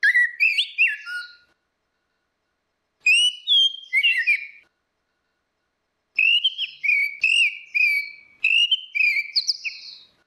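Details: Orange-headed thrush, female versus male, played as a lure: rich whistled phrases with mixed slurred and chattering notes, four bursts in ten seconds with silent gaps between them.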